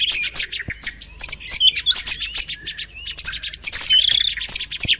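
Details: Thrush heard late in the hunting season: very high, rapid twittering and squeaky whistles in a continuous jumble, with a few short sliding notes and clicks.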